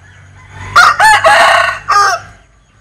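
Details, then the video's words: Strange-sounding crow of a Linh Kê rooster, loud and close: several short harsh syllables run together into a long rasping note, then a final separate clipped syllable. "Tiếng Gáy Độc Lạ. Gà Linh Kê/ Strange Crow Sound"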